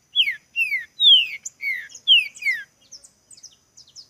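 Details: Green-winged saltator in a singing contest, described as spirited: six loud, drawn-out whistles falling in pitch, followed by faint high twittering.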